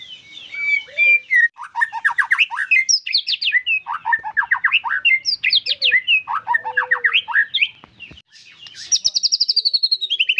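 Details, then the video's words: White-rumped shama singing actively in a long, varied song: fast rippling phrases of sharp slurred notes, shifting in pitch, broken by short pauses, ending with a bright descending trill. "MURAI BATU GACORRR FULL DURASI"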